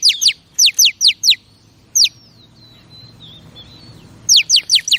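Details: Female oriental magpie-robin calling to excite males: a few sharp high downslurred chips, then a long thin wavering whistle, then another quick run of chips.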